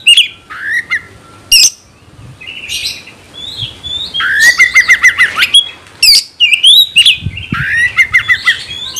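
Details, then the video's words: Caged Oriental magpie-robin (kacer) singing to provoke rivals to fight: scattered sharp chips and short whistles, then a run of fast repeated rising whistles, later loud harsh bursts and more rapid whistled notes; a faint hum underneath. "Kacer gacor bongkar emosi dalam hitungan detik dijamin Kacer langsung tarung ngotot"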